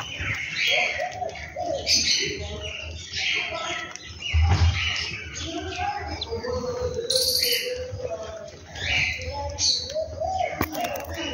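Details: Birds calling in the morning at home: many overlapping high chirps and short tweets in quick, uneven bursts, with a few lower whistled notes and faint voices in the background.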